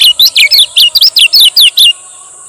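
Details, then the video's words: Lombok male lemon-bellied white-eye singing its 'ciak ciak' lure song: about ten rapid, bright, downward-slurred chirps packed into two seconds, then it stops, leaving a quiet high hiss. "SUARA BURUNG KECIAL KUNING MASTERAN KECIAL KUNING PANCINGAN KECIAL GACOR"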